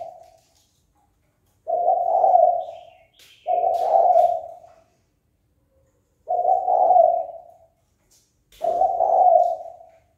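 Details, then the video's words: Spotted dove calling to goad rivals into fighting: four hoarse, rolling coo phrases, paired with short pauses inside each pair and a longer gap between pairs, against a quiet background. "Cu gáy chơi cực hay kích bổi đấu ngay!"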